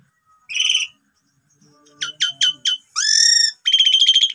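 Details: Asian pied starling phrases played to coax birds into singing: an isolated whistle, then four sharp clicking notes, a rising buzzy trill and a fast repeated chattering run, with faint low hum.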